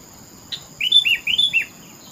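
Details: Sooty-headed bulbul, known locally as kutilang, heard in a village-like rural setting: a short phrase of four clear, liquid whistled notes, rising then dipping, preceded by a faint click, over a steady high insect hum.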